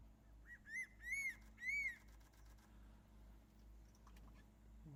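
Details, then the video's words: On Ishigaki Island, Okinawa, in breeding season, crested serpent eagles call to each other with three loud, ringing whistles in quick succession, each arching up and falling away, over a still background; possibly a male chasing an intruder. "【鳴き声、鳴き合い】カンムリワシ Crested serpent eagle"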